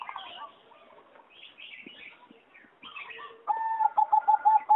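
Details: Flight-aviary recording from 26 April 2014: soft chirps and twitters from other birds, then a competition-bred singing zebra dove enters with loud, quick, repeated coos at a steady pitch.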